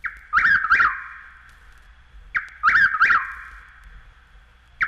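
A Chuck-will's-widow sings its rolling, whistled chuck-will's-wid-ow phrase, repeated about every two and a half seconds, with a faint recording hiss behind it.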